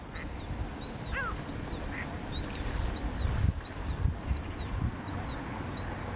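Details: Mediterranean gulls at Zalew Witoszówka reservoir, Poland, on 19 July 2015, give nasal, arching 'kee-ow' calls in quick succession, several birds overlapping, over a steady low rumble of wind and water.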